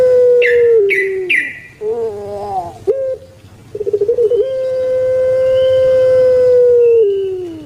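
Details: Captive puter pelung turtle dove singing its long coo: a sliding opening note, a rolling gurgle, a clipped note, quick stutters, then a sustained even hoot that drops off at the end.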